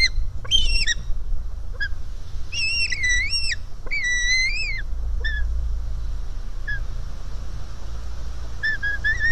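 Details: White-tailed eagle chick at the nest, 4 July 2018, hungry and begging from its mother; a few wavering whistled squeals early on, then short faint notes, over steady wind noise.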